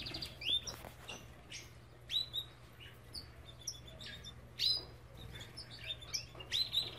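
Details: Belgian canary from an aviary giving scattered sharp chirps and short whistled notes, several rising and falling, at irregular intervals over a constant low hum.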